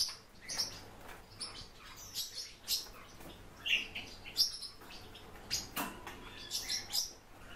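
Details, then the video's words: Warbling white-eye (Zosterops japonicus) in captivity: irregular thin, high chirps and short squeaks spread through seven seconds, some closely paired, with faint fluttering and clicking sounds in between. "Zosterops japonicus- ЯПОНСКАЯ БЕЛОГЛАЗКА"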